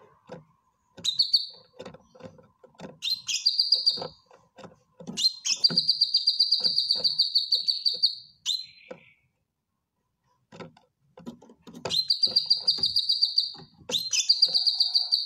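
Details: Caged cucak kinoy bulbul giving a lively training song. Scratchy chatter and soft clicks run between bursts of fast, ringing, high trills, some lasting about three seconds. The trills repeat several times, with a pause midway.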